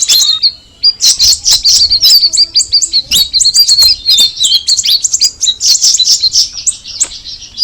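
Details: Straw-headed bulbul singing a sustained, rhythmic stream of sharp high chirps and twittering phrases, steady and dense for the whole stretch.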